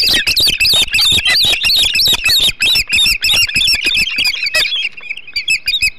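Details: Ospreys at a nest on Hog Island, feeding on a huge flounder, 21 July 2016, 08:05: a rapid, dense run of high, sharp chirping calls, overlapping and repeated several times a second, thinning out toward the end.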